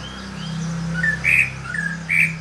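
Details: Greater green leafbird in a cage, newly singing after moulting: a few clear whistled notes, some rising and some steady, over a constant low electrical hum and background noise.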